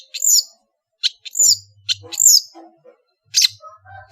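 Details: Varied song of a Madura long-tailed shrike: high whistled notes that dip in pitch alternate with harsh single chirps, over a faint low hum and a few soft background noises.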